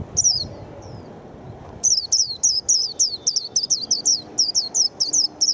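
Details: Japanese white-eye, a bird praised for singing readily, opens with a couple of high notes, then bursts into a rapid series of around fourteen thin, descending whistles.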